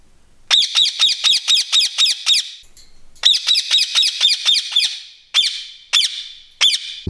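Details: Young Indian ringneck parakeet kept as a pet indoors during its first week home; harsh, loud squawks fired in rapid bursts of about four per second, broken by short pauses, then single spaced squawks.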